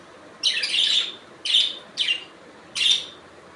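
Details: Budgerigars calling: four separate scratchy, chirping bursts centred high in pitch, each under half a second, spaced irregularly over a quiet background.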